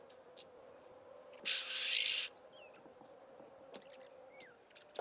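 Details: Oxpecker, called jirri in Somali: two early clicks, one long harsh hiss near the middle lasting almost a second, then a few more sharp ticks, with a low steady hum throughout.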